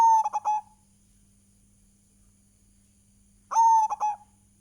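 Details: Local zebra dove from Indonesia in vigorous song. Two loud cooing phrases, each a sustained clear coo broken into a couple of short stuttering notes, separated by silence and a low constant hum.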